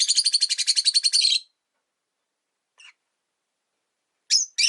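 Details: Rosy-faced lovebirds, five caged household birds near a window, open with a fast rattling series of about a dozen high chirps, then fall quiet before a few sharp single notes.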